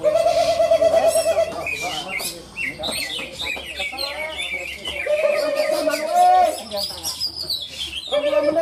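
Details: Greater green leafbird song at a bird-singing contest in Malinau, Kaltara, Indonesia; fast varied twittering and sliding whistles, roughly three phrases a second, overlapping other birds and men's voices.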